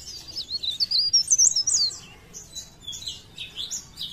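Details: Leaf warbler, known locally as cikrak daun, from Parepare, singing a fast high twittering run of thin slurred whistles, rising and falling, loudest in the first two seconds, then softer scattered notes.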